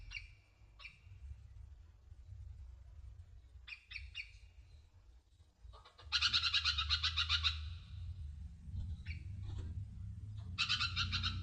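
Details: Singing sunbird, locally konin: scattered short chirps, then loud, dense bursts of rapid high twittering, over a steady low background rumble.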